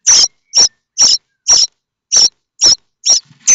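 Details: Begging starling chicks in the nest at Théding, France, calling as they wait for a parent with food: short, shrill, hissing-rasping bursts repeated about twice per second, with brief silent gaps between them.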